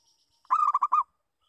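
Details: Lure call of a local zebra dove, a short burst of about five purring coos that rise and fall fast and end abruptly, with a faint high hiss in the background.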